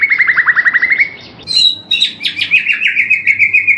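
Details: A murai batu, or white-rumped shama, sings a rapid trill of fast, repeated whistled notes on a long morning tutor recording, then a high, bright warbling phrase with quick rattling elements.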